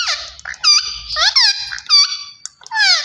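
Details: Green ringneck parrot talking: a run of squeaky, nasal, harmonic word-like syllables with rising and falling slurs and short pauses between bursts, in a quiet indoor setting.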